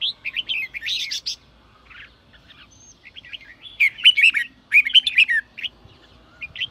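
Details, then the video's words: Red-whiskered bulbul singing in the sổ bọng style, used to spur newly caught birds into song: bright warbled phrases around mid-high pitch in bursts, a short pause, then a fuller, louder run of rapid chirpy notes near the end. "chào mào sổ bọng thúc bổi/bổi nghe là ra bọng/bổi nghe là ức chế sổ bọng ngay"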